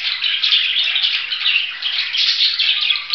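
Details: Budgerigar chattering nonstop, a fast, scratchy stream of twittering notes that rises and falls slightly in loudness throughout.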